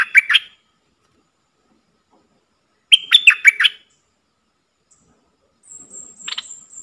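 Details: A bulbul kept as a decoy to draw wild birds into fighting gives two rapid, liquid whistled phrases about three seconds apart. Near the end come a softer scratchy burst and a faint high, thin tone.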